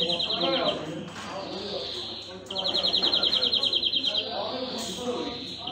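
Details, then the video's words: Short rolling trill from a greenfinch, then a clear burst of rapid, evenly spaced ringing notes about two seconds long, set against steady talking from people in the background. "Greenfinch Song"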